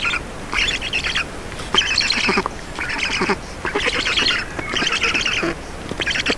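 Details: Nest feeding of Black storks in Estonia, 4 June 2019, early evening: rasping, buzzy squawks in bursts roughly every second, rough and broadband, with faint lower grunting notes.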